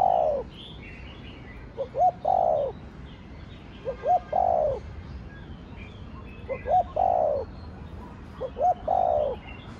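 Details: Spotted dove with a Thổ Đồng style call: four phrases, each two clipped low notes then a longer mellow coo that droops at the end, spaced about two seconds apart, over soft background bird chatter.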